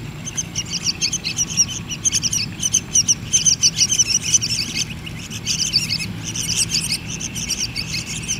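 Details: Hand-fed yellow-vented bulbul chicks begging, giving dense, continuous runs of sharp high chirps and squeaks in quick bursts with brief pauses, a low rumbling hum underneath.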